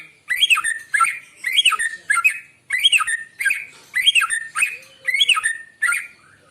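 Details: Morning song of a white-rumped shama, played to lure birds: a steady series of loud whistled phrases, each a quick warbling cluster, repeated roughly every 0.8 seconds across the recording.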